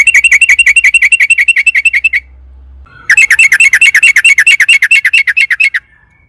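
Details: Sooty-headed bulbul pouring out long 'ropel panjang' song, played as a lure so kept birds start singing; a fast, even run of about sixteen sharp chirped notes, a brief pause, then another rapid run.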